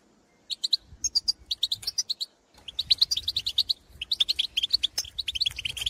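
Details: Goldfinch pitorreos and calls from birds in the field answering their own species: spirited twittering phrases of rapid, tinkling chirps, with a brief gap before a denser, busier stretch.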